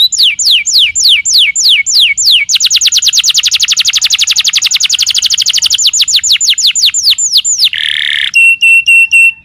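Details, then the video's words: Canary song used as a lure to draw another canary into answering: loud high tours of repeated downward-sweeping whistles, then a fast even trill of rapid notes, then slower slurred sweeps, ending in buzzy and ringing notes. "PANCINGAN SUARA BURUNG KENARI GACOR LANGSUNG NYAUT!!"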